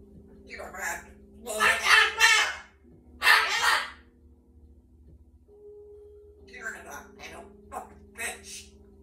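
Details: Rescued pet cockatoo at home imitating human words, repeating "Mama" and scolding the dogs: harsh, raspy bursts of squawky speech in groups, separated by pauses, over a steady low electrical hum.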